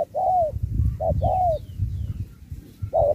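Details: Spotted dove in a 2024 singing contest, singing in the Thúc style with Bo. Two paired coos, each a short note then a longer falling one, then a pause and another coo, over a low rumble.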